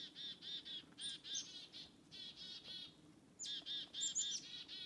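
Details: A black-capped chickadee following people in the forest gives repeated groups of hoarse, buzzy 'dee' notes, about four a second. High thin notes come at the start of several groups, with a short quiet gap midway.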